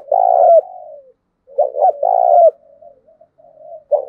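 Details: Spotted dove cooing, recorded for training decoy doves: loud, hoarse phrases of short clipped notes leading into a longer vibrating coo, two phrases separated by soft, low murmuring coos, another phrase starting at the end.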